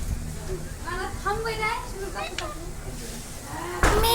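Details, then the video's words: Rose-ringed parakeet mimicking human speech: a run of short, word-like syllables with wavering, slurred tones. A low background hum runs throughout, and a sharp noisy burst ends the passage. "মানুষের মত কথা বলা টিয়া পাখি Parrot talk everything"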